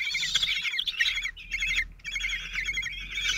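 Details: Common kestrel chicks, four 16 days old, calling at a nest in Théding on 26 June 2023 while the lone father feeds them; shrill, wavering harmonic squeals overlap almost continuously, broken by short pauses.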